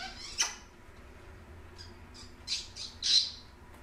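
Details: Pet African grey parrot indoors, a bird that mimics phrases, giving short bright squawks and chattering high notes in bursts, with a steady room hum behind.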